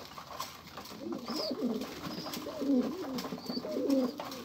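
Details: Several overlapping pigeon coos, deep and warbling, pulsing up and down in pitch. Short high chirps and faint clicks are heard in the background.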